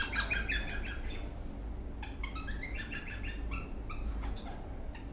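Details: Eastern rosella parrot in a happy mood while dancing, producing rapid scratchy chirps and short squeaky notes in irregular bursts, with a low background rumble throughout.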